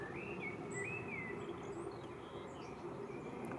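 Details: European robin (Erithacus rubecula), a garden bird, in Île-de-France, France, 2024, sings thin, high, wavering whistled phrases, some sliding up and down, with a few faint higher notes over steady low background noise.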